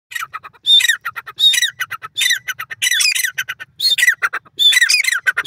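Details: Partridge calling in a forest: loud, harsh squawking bursts that come roughly every second, each opening with a ringing downward note and trailing into rapid stuttering clucks, separated by short quiet gaps, with no other clear sounds.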